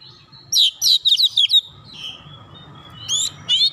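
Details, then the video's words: Oriental magpie-robin in fast gacor song to excite rival birds: a rapid cluster of five or six loud, slurred whistles, a steady thin whistle, then two more bright bursts near the end, over faint low hum. "KACER LAIN CEPAT TERKOMPORI MEMANAS GACOR BUKA PARUH BONGKAR ISIAN"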